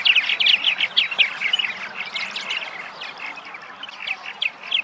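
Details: Purple martins, back at their nesting site in Massachusetts on spring arrival, chatter in a steady stream of rich, gurgling chirps, several birds overlapping, several notes a second, with a soft hiss behind.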